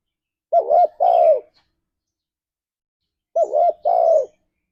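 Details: {'caption': 'Lure song of a spotted dove in the ngalas style, meant to get kept doves singing: two clean phrases, each a quick double hooked coo followed by a longer, slowly falling coo, in a quiet background.'}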